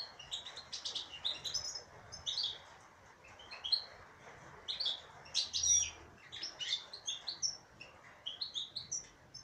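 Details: Female European goldfinch singing a bubbling run of high, liquid twitters and short buzzy trills, the phrases dense at first, pausing briefly, then resuming more loudly.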